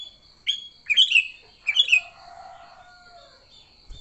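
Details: Sooty-headed bulbul singing in fighting mode to lure bulbuls: two phrases of bubbly, falling chirps under a continuous high whine, with a faint lower drawn-out note afterwards.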